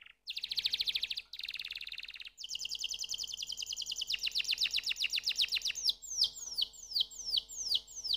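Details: Canary song in changing tours: a quick rattling roll, a short gap, a rapid trill of fine notes, then slower, clearer repeated whistled notes toward the end.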